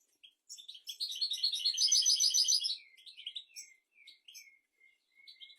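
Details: European goldfinch song offered for training goldfinches and canaries: rising run of quick chirps into a dense, rapid, ringing trill about two seconds long, then a trail of short downslurred tweets.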